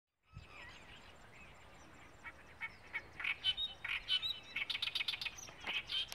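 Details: Clamorous reed warbler in Yadgiri gives loud, harsh, chattering notes in quick bursts that build in strength, with faint high whistles from other birds behind.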